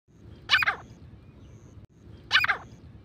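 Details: Grey francolin, a Sindhi bagra teetar type, in a recording used as a hunting sound: two harsh, double-pulsed notes about two seconds apart over a low background hum.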